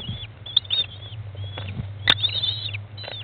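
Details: Mother American kestrel feeding chicks at day 15 in a nest box, 20 May 2011, 13:54; a near-continuous stream of high, strained squealing notes with one loud click, over low rumbling hum.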